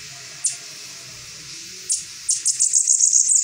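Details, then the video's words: Saffron finch song that starts with a couple of isolated sharp high chips, then breaks into a fast, rising series of bright repeated notes. Low background murmur throughout. "Sibite cantando"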